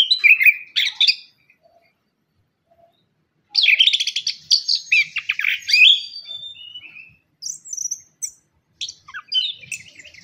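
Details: Orange-headed thrush, known as anis kembang, singing to lure quiet caged birds back into song: dense varied warbling with rapid mimic-like notes and slurred whistles, in long continuous bursts broken by brief silences.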